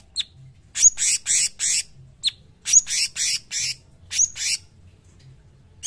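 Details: Loud rasping high bursts from a cungkok bird in short runs, each opening with a sharp whistled note, separated by brief pauses, as training song for songbirds.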